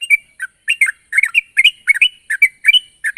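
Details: Yellow-vented bulbul in full voice challenging a rival, a lure for trapping: dense bubbly chirps in quick paired bursts, roughly three per second, some notes slurred upward, faint high ticking underneath.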